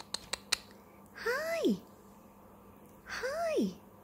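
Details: A male pet conure in the morning gives two drawn-out, voice-like calls, each rising then sliding steeply down, about two seconds apart, after a few sharp clicks in a quiet room.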